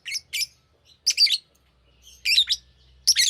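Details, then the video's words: Green lovebird chirping: sharp, high, buzzy chirps in short bursts, some paired, separated by brief silences, with a faint low hum underneath. "Green Lovebird Chirping Sound"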